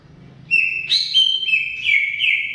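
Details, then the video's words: Greater green leafbird giving energetic song: after a quiet start, loud clear whistles jump up and down in pitch, with short slurred notes and sustained tones running together without pause. "Suara Kicau CUCAK IJO Gacor Panjang Khusus Untuk Cucak IJO Yang mogok NGOCEH"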